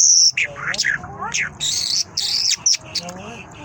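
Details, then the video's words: Mashhadi lark singing: a quick, varied run of high whistled notes, sharp rising slurs and buzzy trills, phrases broken by short pauses, with faint low background hum. "Mashhadi lark singing مشہدی جل"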